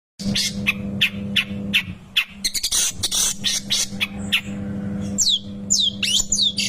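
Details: Long-tailed shrike calling while being fed: sharp clicks and rapid harsh notes give way to loud downward-sweeping squeaky chirps near the end, over a steady low electrical hum.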